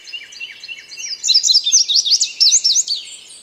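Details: Indigo bunting singing a run of quick, sharp, high notes that slide up and down, packed into a bright burst of about one and a half seconds, over a soft layer of fainter high chirps.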